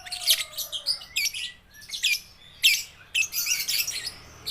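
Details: Young lovebirds, baby and balibu, recorded to stimulate silent lovebirds to sing; rapid harsh chirps in clustered bursts, a faint falling whistle at the start.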